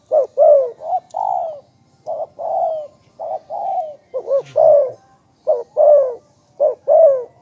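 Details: Spotted dove calling as a lure, said to draw other doves in reliably: low, mellow coos, each a short doubled note followed by a longer falling purr, repeated in quick irregular series, about nine phrases, quiet background.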